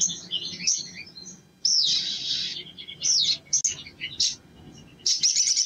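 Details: Crimson sunbird song: high thin chirps and squeaky twittering bursts broken by short pauses, with a loud buzzy rattling phrase near the middle and a low steady hum underneath.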